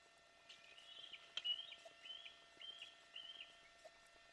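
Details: Young fledgling bald eagle calling below the Fraser Point nest on Santa Cruz Island, California, mid morning, June 24, 2024, on the day of its first flight: a faint run of high, chittering piping notes in short bursts over a steady background hiss.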